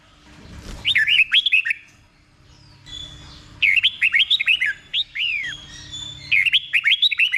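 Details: Red-whiskered bulbul singing slow, clear doubled phrases used to train caged bulbuls: three bursts of quick rising-and-falling whistles spaced by pauses of a second or more.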